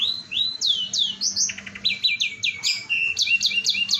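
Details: Singing canary, gacor style, played as a lure so others join in: quick rising whistled slurs, a short staccato stutter, then clipped repeated chirps and warbles, all high and energetic.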